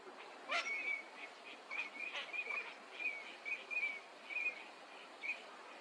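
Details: Wintering Eurasian teal in a park pond in Chiba, Japan, February: short clear whistled notes, often doubled, repeated irregularly about every half second, with a few scratchy broadband calls early on.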